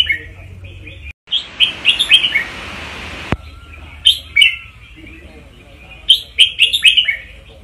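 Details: Red-whiskered bulbul teacher song, used to rouse listening birds: short bursts of bright, quick whistled notes in two phrases, broken by a loud hiss lasting about two seconds, with a faint low hum beneath.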